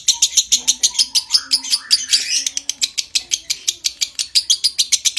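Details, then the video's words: Lovebird giving a long ngekek trill used as a master recording to stimulate breeding condition; rapid chattering notes repeated about five per second, high and harsh, with a brief rising sweep midway. "Suara Masteran Burung LOVEBIRD Konslet Ngekek PANJANG Merangsang Birahi"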